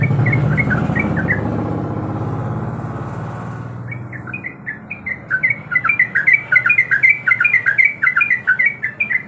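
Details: Female yellow-vented bulbul in breeding condition calling to the male: after about four seconds of low rumbling, a rapid stream of bubbly, chirping notes, repeated more than once a second, steady until the end.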